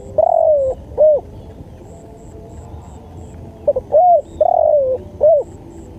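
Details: Spotted dove song recorded as a masteran training track for luring birds: two low, mellow cooing phrases, each with a short hooked note, a long drawn-out falling coo and a final hooked coo, with faint high chirps in the background.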